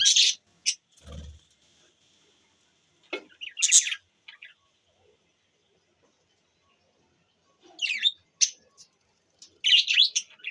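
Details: Several budgies giving short, scattered bursts of scratchy chirps and warbles, separated by long silent gaps, with one low thump.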